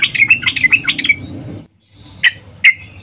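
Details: A female yellow-vented bulbul calls to a male in the morning: a fast run of chirpy, bouncing notes for about a second, then silence and two isolated sharp chips.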